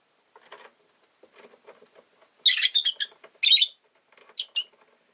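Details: Kept rosy-faced lovebird gives a loud run of grating, shrill chirps, then another burst and a final short pair, preceded by soft faint ticking and rustling sounds.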